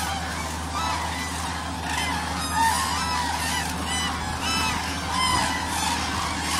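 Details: Common cranes in a big winter flock at Agamon Hula, Israel, being fed maize from a tractor in January; a dense chorus of loud rolling trumpet calls, some rising and falling, layered above a constant deep tractor hum.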